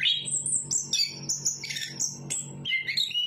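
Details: Song of a Chestnut-capped thrush, bright high whistles and buzzy chattering phrases running continuously, with a low hum underneath.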